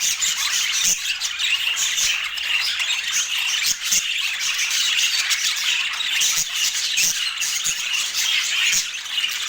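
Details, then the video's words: Several pet rainbow budgerigars enjoying apple keep up a busy, unbroken warbling chatter, bright and scratchy, with brief sharp clicks scattered through. "Relaxing Budgie Sounds"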